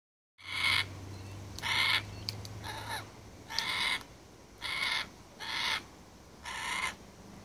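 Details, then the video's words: Carnaby's black-cockatoo (Calyptorhynchus latirostris) gives six harsh, drawn-out wailing calls, each about half a second long and roughly a second apart, with a faint low hum early on. "Carnaby's Black-Cockatoo (Calyptorhynchus latirostris) Calling"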